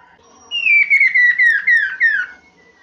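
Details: Chinese hwamei master song for training other birds: a strong whistled run of six downward-slurred notes stepping lower through the phrase, lasting about two seconds, with faint background sounds before it.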